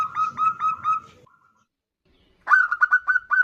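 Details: Female zebra dove calling the male, in calls answering back and forth: fast runs of short whistled coos on one pitch, a rapid burst, a pause, then a second run of staccato notes.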